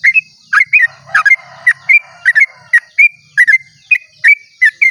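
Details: Dawn song of a sooty-headed bulbul, a long rapid phrase used to stimulate other bulbuls to sing; crisp whistled notes that rise or dip, about one per second, some paired, with faint low hum.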